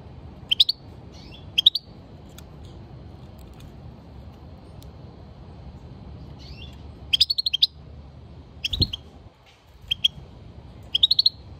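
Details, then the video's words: European goldfinch singing: short bursts of bright, tinkling chirps and twitters, high-pitched and clustered in quick runs, separated by pauses of a few seconds, over a faint low background hum. "European goldfinch singing - Carduelis chardonneret song - طائر الحسون"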